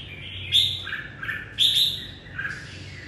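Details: Red-whiskered bulbul greeting the morning with song: two strong whistled phrases with upward and downward slides, separated by softer notes, over a low steady hum.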